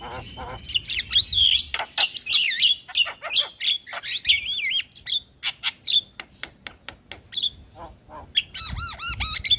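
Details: Javan myna singing hard, used to coax a lazy bird into song: tumbling twisting whistles over chatter, then a rapid series of dry clicks, and a final trilled, ringing warble.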